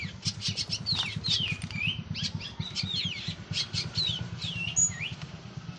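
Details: Local Cililin orange-headed thrush, freshly out of moult, delivers a varied run of sharp chips and sliding whistles that fall in pitch. A constant pulsing low hum runs underneath.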